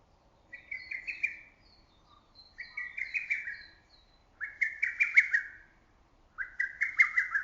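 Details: Lesser cuckoo calling from woods in early summer, loud and echoing through valley and forest: four emphatic, staccato whistled phrases of rapid notes, each about one second long, repeated roughly every two seconds, with faint high chirps of other birds between.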